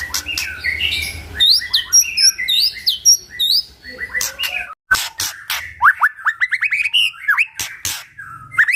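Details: White-rumped shama in full song, used to prompt other shamas to sing along: rapid varied whistled notes and upslurs mixed with harsh buzzy clicks, a brief break near the middle, then a run of quick rising whistles.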